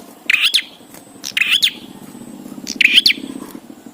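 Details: Bar-winged prinia song, played to get prinias singing quickly: three short, harsh chirping phrases with rising and falling notes, about one every 1.2 seconds, over a steady low hum.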